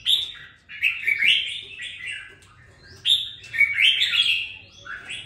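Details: A captive red-whiskered bulbul, kept for two weeks and starting to find its voice, sings two bursts of bright, warbling, slurred phrases around a second apart, loud and lively, with a faint low hum behind.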